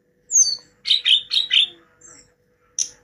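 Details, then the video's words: Hill blue flycatcher singing: a high whistled phrase, then four quick rich warbled notes, then a short thin whistle and a final high note. "TLEDEKAN GUNUNG"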